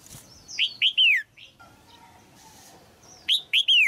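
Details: Red-whiskered bulbul female in a cage, singing to rouse a mature male. A phrase of three descending, slurred whistles is followed by a soft note, then the three-note phrase is repeated after a quiet gap.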